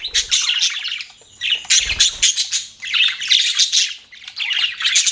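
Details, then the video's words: Pet budgerigars chirping: dense bursts of high, scratchy warbling chatter in several waves, with brief pauses between them and a soft low thump partway through. "BUDGIES CHIRPING SOUND"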